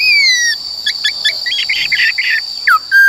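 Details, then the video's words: ['Black-throated laughingthrush singing its forest-style song for voice training of young and newly caught birds: a falling whistle, then a run of short clipped chirps and a quick downward-swooping note ending in a flat whistle, with a steady high hum behind.'] "Khướu Bạc Má HÓt Giọng Rừng"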